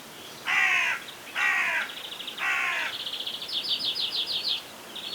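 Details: Hooded crow in Pronsky district, Ryazan region, Russia, June 2023, gives three harsh, hoarse caws about a second apart, followed by a quick run of thin, high chattering notes from a smaller bird.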